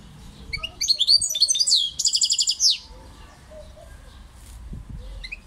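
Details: European goldfinch song: a quick burst of high twittering, liquid notes that runs into a dense, buzzy rattling trill at about two seconds. A few soft chirps follow over quiet, with a faint low rumble beneath.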